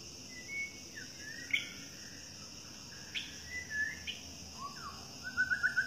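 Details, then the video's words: White-rumped shama of the Medan type singing in the wild in forest: scattered clear whistled notes with rising and falling slurs, ending in a quick series of short notes, over a steady high insect hum. "Ketemu "Murai Batu Medan di Alam Liar" | Suaranya Merdu"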